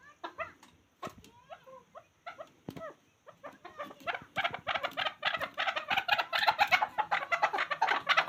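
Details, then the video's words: A few scattered sharp notes from a chukar partridge, called a hunter chakor, give way to an intense rapid chattering of clucks that fills the second half. "Chakor Ki Awaz. Hunter Chakor sound."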